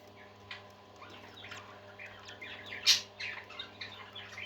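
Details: Several budgerigars, sung for lonely birds, give scattered soft chirps and warbled twitters with one sharp louder note near the middle, over a steady low background hum.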